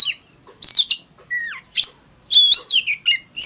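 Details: Oriental magpie-robin singing a fighting song, likely a caged bird: varied loud whistled phrases, sharp high notes and a falling slur, broken by short pauses.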